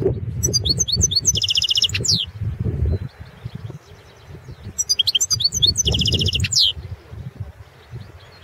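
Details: European goldfinch of the Balkan subspecies Carduelis carduelis balcanica, recorded as an entry in the 2016 internet World Championship in goldfinch song run by a Serbian breeders' association: two bursts of bright twittering notes ending in buzzy trills, over low rumbling background noise.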